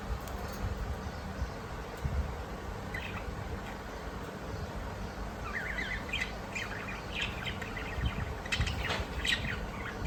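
Quick, bright parakeet chirps and short squeaky notes come in scattered bursts, busiest in the second half, over a steady low rumble of background noise.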